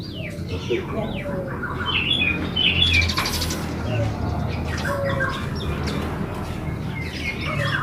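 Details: Yellow-vented bulbul in energetic 'gacor ulpik ropel' song, used to provoke rival bulbuls into singing; rapid chattering whistles and bright trills, loudest in the middle, over a persistent low hum.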